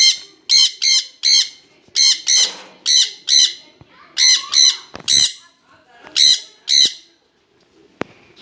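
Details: Two jenday conures calling together: about fourteen loud, grating screeches in irregular clusters, followed by a sharp click near the end.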